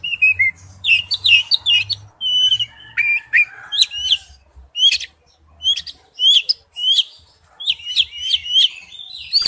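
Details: Oriental magpie-robin, a male calling to a female, gives a long series of short varied phrases of whistles and crisp chirps, each lasting under a second, repeated roughly every half to one second.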